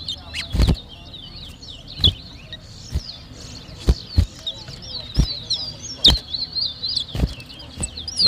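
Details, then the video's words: Towa towa (seed finch) at a whistling competition in New Amsterdam, Berbice, Guyana, 2023: a steady run of quick, high twittering whistles, broken by sharp knocks and clicks about every second. "TOWA TOWA BIRD WHISTLING COMPETITION"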